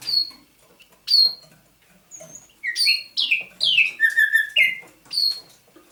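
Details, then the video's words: Thrush nightingale held captive since its capture near Saint Petersburg in May 2019, singing at dawn, 27 November 2021: sharp high chirps, then a run of clear whistled notes stepping downward, ending in a steady low whistle and further chirps. "Пение восточного соловья на рассвете"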